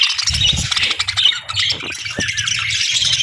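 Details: Morning flock of budgies: a dense, scratchy warbling chatter at high pitch with quick repeated chirps, continuous throughout, over a light low rumble.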